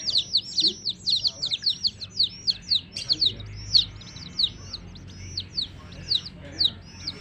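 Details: Baby chicks near a hen keep up a dense chorus of shrill, down-slurred peeps, fast and crowded early, thinning into spaced single peeps toward the end.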